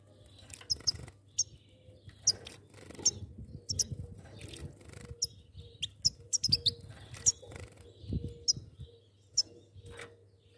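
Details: Two goldfinches chirping busily, with many sharp high notes in quick irregular runs. Soft rustling or fluttering and a constant low electrical-sounding hum can be heard in the background.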